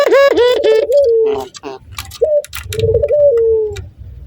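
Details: Breeding male Barbary dove reacting to a female, calling in the laughing style. A quick, rich, stuttering laugh opens, then two steady, low, drawn-out coos that sag in pitch, with faint clicks in the background.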